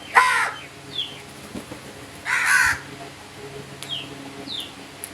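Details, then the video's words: Crows giving two loud, harsh, broadband caws about two seconds apart, with soft, repeated, descending high chirps from another small bird between them. "Crow birds crowing sounds and loud noise"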